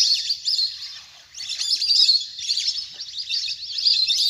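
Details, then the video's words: A large flock of wild ducks playing on water keeps up a dense, high, whistled twittering with many overlapping chirps in uneven bursts; recording used as a lure call to bring ducks down. "เสียงนกเป็ดน้ำ! ฝูงใหญ่เสียงคมชัดมาก"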